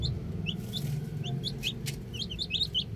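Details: Baby chicks outside, scattered sharp high peeps, a couple at a time, over loud low rumbling noise with an occasional click.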